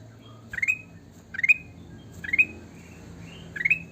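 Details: Sooty-headed bulbul in full song, with four quick rising whistled phrases, each a tight cluster of notes sweeping upward and coming at slightly uneven intervals of under a second.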